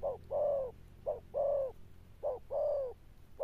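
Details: Spotted dove cooing: low mellow phrases of a short note followed by a longer drawn-out falling coo, repeated about once a second in a steady pattern against a quiet background.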